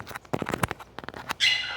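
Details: A male pet galah (Eolophus roseicapilla) talking mutters a few quick, raspy speech-like syllables, then ends with a harsh, rising screech.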